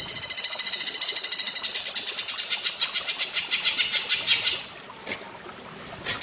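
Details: Greater green leafbird (cucak ijo) training track in platuk bawang style: a long, rapid run of high, clipped notes, about two per second, slowly softening over four seconds. After a pause come a sharp click and another note.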